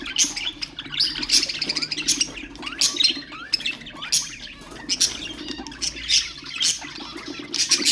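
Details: Pet budgerigars chattering to stimulate other birds, with rapid squeaky chirps, short upward-sliding whistles and harsh squawks running steadily in irregular pulses.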